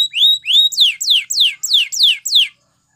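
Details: Canary song used for training: two long level whistles, then a steady series of clear downward-sweeping whistled notes, roughly three per second, ending in silence.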